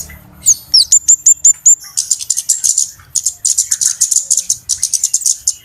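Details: Lure call of a flowerpecker used by bird trappers: an opening run of clear, evenly spaced high whistled notes gives way to dense, rapid, very high chattering ticks in steady pulses.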